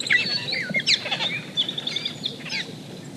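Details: Austral blackbirds, highly social birds kept in groups, in Chile, sing a lively, overlapping chorus of varied whistles, slurred rising notes and chattering phrases, high and complex, with faint background noise.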